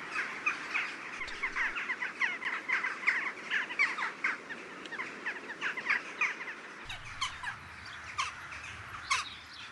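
A flock of jackdaws chatters with short, sharp, metallic 'tchack' notes, several each second and overlapping, continuing steadily through the whole passage.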